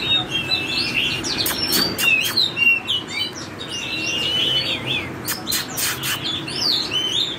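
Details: Oriental magpie-robin singing in a wild, forest-style voice, pouring out a rich, varied run of clear whistles and quick twittering notes, mid to high pitched, broken by sharp clicks and taps.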